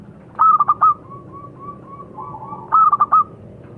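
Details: Local perkutut (zebra dove) song: two bursts of four staccato coos, separated by a string of soft, level, drawn-out notes, with faint low background noise.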